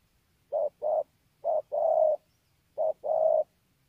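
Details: Kon Tum, Vietnam: a spotted dove repeats its mellow coo three times. Each is a short hoot followed by a longer, fuller note, evenly spaced against a quiet background.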